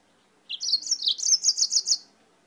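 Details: Yellow-fronted canary, brought from Spain, delivering one lively song phrase of about one and a half seconds, a quick jumble of high, sweet, rapidly alternating chirps and warbles with no other sounds.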